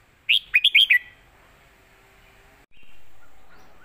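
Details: Red-whiskered bulbul performing a traditional southern Thai teaching song, 'chok kwik khwai yo' style: one fast phrase of four bright, slurred whistled notes, followed by quiet and then a steady background hiss.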